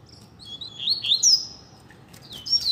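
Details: Coleiro, one of a pair kept outdoors on a street, delivers a rapid run of high slurred whistles and chirps, then a brief gap and a sharp renewed burst, over faint background hiss.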